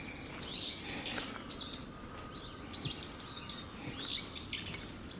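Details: Brown-eared bulbul giving a raptor warning call in November 2013, later a Northern goshawk flew over and was chased by crows; repeated high, sharp downslurred notes in quick series against faint background noise.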